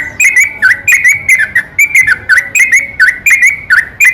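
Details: Yellow-vented bulbul in continuous night song, meant to make other bulbuls answer: lively chattering phrases of liquid notes with small downward swoops, repeated roughly twice each second.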